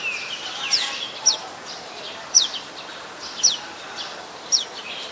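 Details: Adult Common Tailorbird recorded 27 January 2021 in Ubon Ratchathani, Thailand: high, sharp descending chips repeated about once a second, with softer bird sounds behind.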